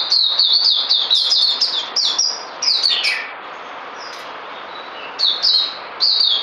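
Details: Caged White-rumped shama song: bursts of high, clear whistled phrases with quick downward slurs, separated by short pauses and a quieter stretch midway.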